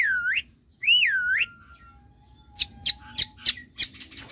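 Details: Javan myna, semi white-eyed, singing in a keramba cage around bathing: two loud looping whistles, each rising then falling, followed by a row of five sharp harsh clicks spaced about a third of a second apart.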